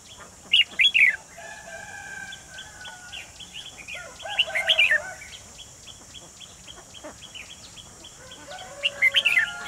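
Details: Decoy red-whiskered bulbul singing at a trap to draw in wild birds, 28 June 2020; short bursts of loud chirpy, tumbling notes repeat roughly every four seconds, with softer twittering between them and steady hiss.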